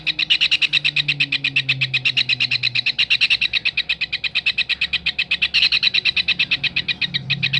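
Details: Kingfisher, as a training recording for songbirds, giving a long rapid rattle of high, sharp notes, steady for over seven seconds with a brief stumble midway; a low droning hum slides underneath early on.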